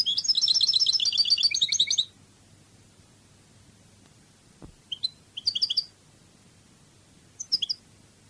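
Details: European goldfinch, Cádiz song style, from a training recording: a dense two-second run of rapid twittering notes, then a pause, a sharp click and a few scattered short chirped bursts.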